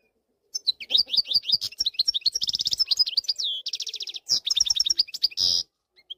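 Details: European goldfinch from the wild, singing in 2024 as a tutor recording for fledglings: a dense run of high chirps, liquid twitters and rapid trilled series, ending in a harsh buzzy rattle.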